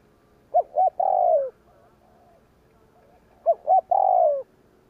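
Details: Provoking 'gù kích' coo of a spotted dove, used to draw a response from wild birds: two phrases roughly three seconds apart, each two brief notes and a long sliding-down coo, with soft faint coos in the gap.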